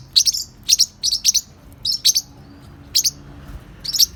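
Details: Several playful young Forpus parrotlets, about three to four months old, give sharp, high chirps in paired bursts. The bursts come irregularly, roughly every half second, with short gaps between them, indoors.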